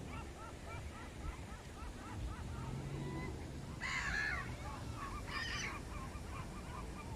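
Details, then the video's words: Gulls on a Sunday morning in spring call in a rapid series of short, nasal yelps, then give two louder, harsh squawks, over a steady low rumble of background noise. "seagulls' noise"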